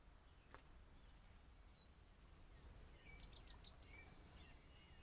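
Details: White-throated sparrow, one of two at a deck recorded by trail camera, whistles a clear song: a lower held note, a higher one, then a quick run of repeated high notes, over faint outdoor hiss.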